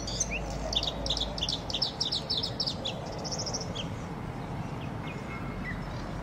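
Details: Red-spotted bluethroat song of fast, closely repeated high chips and ticks in bursts, with a short whistled slur at the start and a few thin whistles near the end, against a constant low rumble.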